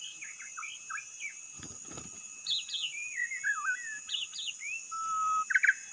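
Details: Somewhat quiet white-rumped shama song, played as a lure, of slurred whistles and twisting phrases, a long level whistle near the end, and a final loud burst of rapid notes.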